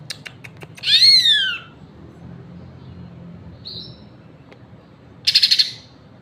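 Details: Green leafbird song: a loud high whistle sweeping up then sliding down, a brief soft chirp, then a quick buzzy trill of several pulses after a pause.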